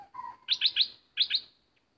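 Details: Bulbul kept as a decoy bird, with an uninvited intruder arriving; a soft low whistle slides into a quick burst of bright, sharp chirped notes, three then two, closely spaced over about one second.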